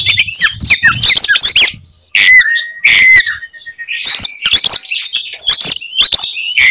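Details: Fighting Oriental magpie-robin singing to provoke other birds: rapid high chattering and flicked whistles, then drawn-out level whistles around two seconds in, followed by more fast varied bursts.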